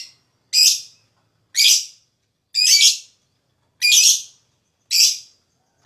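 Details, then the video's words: Lovebird calling as therapy to stimulate other lovebirds: harsh high chirps repeated about once a second, with clean silence between them. "Suara LoveBird Terapi,Rangsang Lawan Cepat Ngekek,LoveBird Ngekek Gacor"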